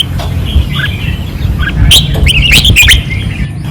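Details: Red-whiskered bulbuls caged on a training perch in Pattani, 2024, singing fiercely: soft warbles early, then a loud cluster of bright, slurred whistles in the last two seconds, over low rumbling.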